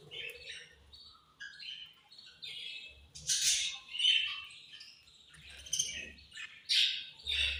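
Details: Budgerigars at feeding time give angry chirps: rapid, irregular buzzy chirrs and squawks about every half second, scratchy warbled notes with bright harsh bursts, faint low knocks of feeding beneath.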